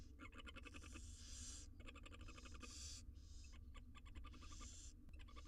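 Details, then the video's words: Six wild barn owl nestlings in a research nest box in Israel beg during feeding, giving rapid ticking clicks mixed with long rasping hisses that overlap and repeat throughout, over constant low hum. "All 6 barn owl nestlings get fed insnside nesr box"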